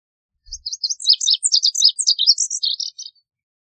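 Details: Lazuli bunting song heard clearly, a hurried series of high chirps and slurred notes, some paired, shifting pitch up and down over roughly two and a half seconds, with a soft thud at the start.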